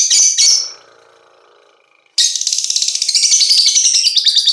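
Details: Five-month-old lovebird, described as a fighter, giving high, shrill chirps, then a pause and a dense, fast chattering twitter of rapid sharp notes, several per second, continuing to the end.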